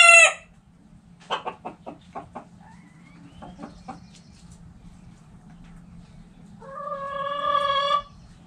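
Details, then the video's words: Backyard chickens: a loud squawk opens, then a row of about seven evenly spaced short clucks, quiet, and a drawn-out harmonic hen call near the end, over faint hum. "Back Yard Chickens Continuous Footage! Rooster Crowing! Hens Clucking!"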